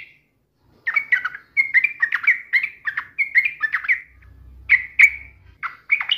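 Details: Yellow-vented bulbul provoked into singing against a rival: bursts of bubbly, chattering notes around mid-high pitch, short phrases tumbling one after another with brief pauses, a low hum underneath midway.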